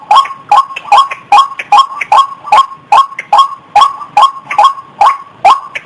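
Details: Mating call of a female white-breasted waterhen ready to breed, a steady string of sharp, ringing clucks, roughly two and a half per second, evenly paced and loud.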